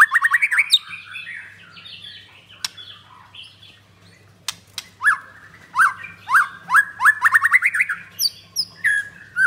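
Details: Ringed white-rumped shama, Blorok type, at a Kemayoran bird kiosk: a quick burst of rising notes, a quiet pause with clicks, then a lively run of repeated upslurred whistles mixed with high chips.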